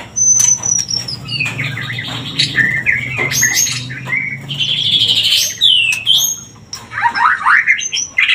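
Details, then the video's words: White-rumped shama song meant to bring a bird into breeding condition: dense, rich varied phrases of rising and falling whistles, buzzy trills and sharp chirps, nearly continuous over eight seconds, with a faint low hum beneath. "Suara pancingan murai agar Birahi Kawin"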